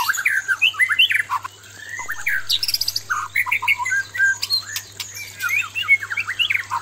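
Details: Singing male white-rumped shama confronting a fierce female pours out dense, varied whistled phrases, short chattering notes and sliding slurs with hardly a pause.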